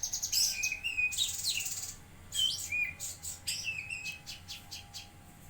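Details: A lesser green leafbird, called cucak kinoi, singing actively in Jambi: loud buzzy bursts and curling whistles, followed by a series of sharp chips spaced roughly every third of a second.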